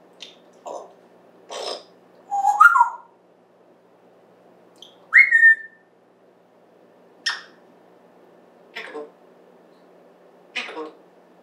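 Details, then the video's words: African grey parrot, a talking pet kept indoors since December 2020, recorded September 14th, 2024: scattered short mimicked word-like bursts with two clear whistled slurs, one rising-falling, one falling, separated by pauses in a quiet room. "Apollo Talking Then Playing "Whoop""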